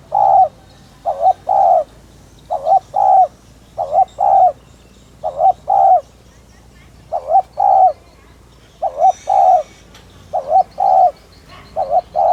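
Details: Spotted dove cooing in the Vietnamese thúc gù lure style meant to stimulate other doves: steady series of two-part hoots, a quick wobbling coo followed by a fuller drawn-out one, pairs repeated roughly every 1.5 seconds.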